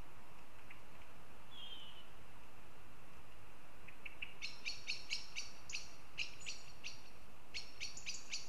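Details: Northern goshawk in Riga, Latvia: a brief thin whistle, then a rapid run of harsh, ringing calls, roughly two a second, in bursts over a steady background hiss.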